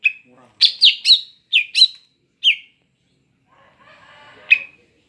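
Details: Female Greater green leafbird in breeding condition calls to lure males: a quick run of loud, sharp, falling chirps, then one more after a pause, with faint soft noise behind.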